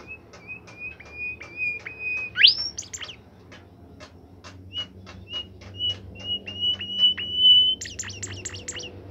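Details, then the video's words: Caged bimoli bird singing steadily: level, thin whistled notes repeated with dry clicks, broken by quick rising slurs and a fast trill of high sharp chips, over a low background hum. "fuul gacor burung bimoli"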